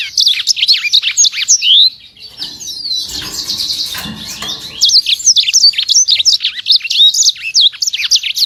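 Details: Imported sanger singing energetically: high, sharp whistled notes and twittering phrases rattled off in quick succession, broken by a brief stretch of softer scratchy sound midway before the rapid chirping resumes.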